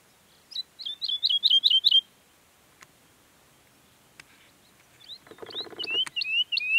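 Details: Woodlark song from Sierra Nevada, Granada, Spain: a run of six ringing, down-slurred notes, a pause with faint clicks, then a brief buzzy rattle and further scattered falling whistles.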